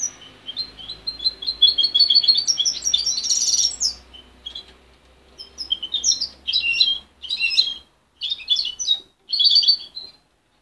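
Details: Goldfinch hybrid song from a young bird reared by its mother and taken away at 23 days, still getting tangled. A fast rippling twitter runs on for four seconds, then choppy bursts of sharp chirps follow one another amid faint low room hum.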